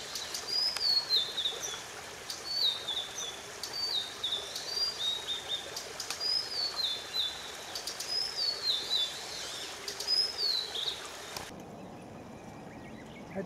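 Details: Blue-and-white flycatcher; alarm call; alarm, warning of danger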